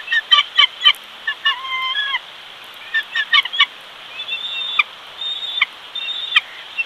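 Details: Bald eagle at the Big Bear nest in California as the male arrives with a fish and the single chick is fed; high thin chittering notes in quick bursts of stacked pulses, with brief steady whistled tones between them.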